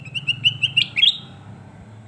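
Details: Sooty-headed bulbul, locally kutilang emas, on a tutor recording for training birds: five evenly spaced whistled notes, then two louder, buzzier rising phrases, followed by silence.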